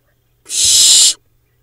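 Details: Barn owl babies in a monitored Hula Valley nest, Israel, 7 July 2021: a single strong, breathy hiss of under a second, with a faint low rustle beneath it.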